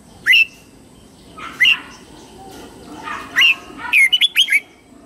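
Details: Red-whiskered bulbul morning song for training young white-cheeked birds: three separate upslurred whistles spaced over several seconds, then a rapid warbling phrase of several bright notes, with a soft constant hum underneath.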